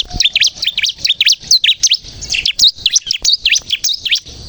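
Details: Lure song of a bar-winged prinia for trapping and for stimulating birds to sing: quick series of shrill, down-up chirps in tight groups, with a short pause near the middle before the chirping resumes.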